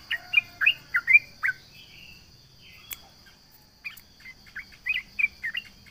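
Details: Yellow-vented bulbul singing to provoke rival birds: a burst of clear bright chirps, then a near-silent pause with a single click, then more sharp, slurred chirps against a constant high droning hum.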